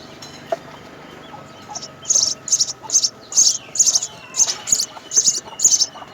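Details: House sparrow nest with three young fed by both parents; after two seconds of quiet, a run of sharp, very high chirps starts, bunched in quick repeated bursts about twice a second until the end.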